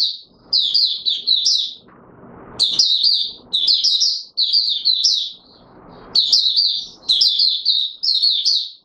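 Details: High, fast warbling from an Oriental white-eye in courtship mode, 25 January 2022, the chirpy phrases coming in repeated one-second bursts separated by brief rustling gaps.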